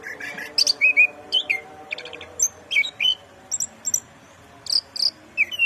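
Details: Orange-headed thrush singing vigorously: short, varied phrases of sharp chirps, whistled slurs and buzzy notes, some high and piercing, about a dozen bursts separated by brief pauses, over a faint steady low hum.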